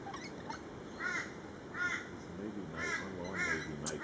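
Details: Flock of lorikeets at a feeding frenzy giving four arched, harmonic squawks, roughly every 0.7 seconds, over a steady low murmur and a faint high screech at the end.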